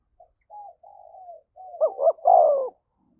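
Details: Spotted dove cooing to provoke a fight: soft level murmured notes build into two short rising coos and a final longer, falling coo.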